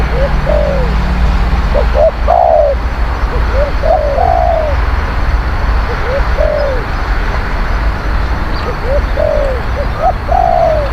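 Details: Spotted dove cooing for luring wild birds: a long run of low phrases, each one or two clipped notes leading into a drooping coo, recurring every second or two against low rumbling background noise.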